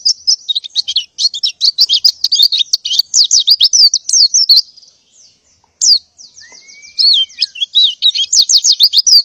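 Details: Female white-eye in breeding condition calling males to mate in the morning: dense high twittering of sharp downslurred chirps, a brief pause near the middle, then a thin rising-and-falling whistle before the chirping resumes.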